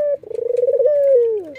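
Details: Single nodding, laughing call from a white red-eyed Barbary dove: a clipped first note, a quick pulsing roll, then a long soft tone easing downward in pitch.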